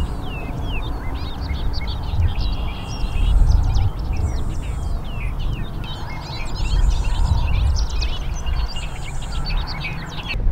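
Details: In June at dawn in Michigan's Upper Peninsula, in grassland with ponds, a LeConte's Sparrow gives a very high, thin, insect-like buzz about every two seconds over busy chirps of other birds, with sandhill cranes calling nearby, and a steady low wind rumble.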